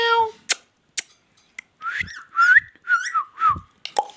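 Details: Ringneck parrot, described as a talking parrot, produces speech-like voiced syllables with shifting tones after an opening harmonic note and several sharp clicks, in a small indoor room.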